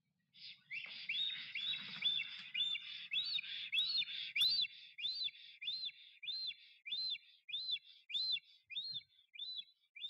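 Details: Black stork male at its nest in the Notecka Forest on 12 April 2023, singing to court a female that never arrives; a steady run of arched, whistled notes repeated almost twice a second, with a soft low rumble underneath early on.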